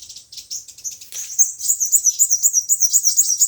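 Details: Sunbird song, five- and seven-coloured types, played to lure birds into traps: scattered thin chips, then a fast, even series of very high piping notes, nearly three per second.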